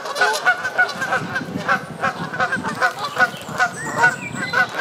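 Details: While bathing at the South Pond in Midhurst, West Sussex, England, Canada geese give a run of repeated, reedy honks over continuous splashing and rippling water.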